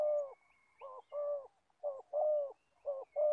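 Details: Spotted dove serving as an old decoy for trapping in Gia Lai, cooing loudly with steady, resonant low notes in a regular short-long pattern.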